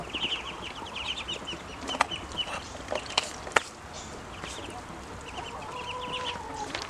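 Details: Hungry ducklings making high, short peeps in clustered bursts, broken by sharp clicks and knocks, then a longer drawn-out lower tone near the end.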